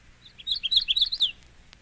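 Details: Magnolia Warbler, one of seven song examples: a rapid burst of about eight high, sweet chirped notes that jump up and down in pitch, ending with a downslurred note, over a faint hum.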